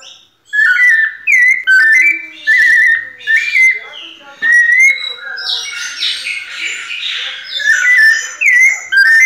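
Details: White-necked thrush singing in the 'pianado' style: clear whistled phrases, each about a second long, sliding and wavering, separated by short pauses, with a burst of rougher, noisier notes partway through.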